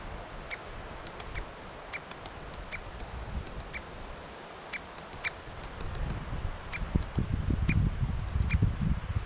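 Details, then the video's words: Great spotted woodpecker with young, filmed with a GoPro: sharp, short, clicking 'kik' notes repeated at roughly half-second intervals, over heavy low rumbling and handling noise that grows louder toward the end. "Great Spotted woodpecker and chicks"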